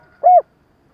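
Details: Decoy spotted dove used to provoke wild doves, giving a stuttering coo: one short, soft, hollow note, slightly arched in pitch, in otherwise quiet surroundings.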